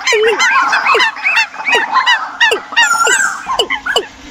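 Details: Bird decoy calls played for the migration season: loud honking notes, many sharply down-slurred, repeated roughly three times a second in an uneven rhythm, with a drawn-out whistled note near the end.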